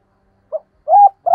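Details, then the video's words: Spotted dove decoy cooing: a short soft hoot, a brief pause, then a longer steady mid-pitched coo, with another note starting at the very end. "Cu Gáy Mồi Thúc và Gù Ác Liệt"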